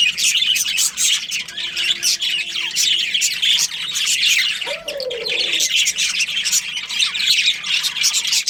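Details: Budgerigar colony with a breeding pair: constant high twittering and scratchy chatter throughout, while a low, soft cooing sound is heard briefly near the middle.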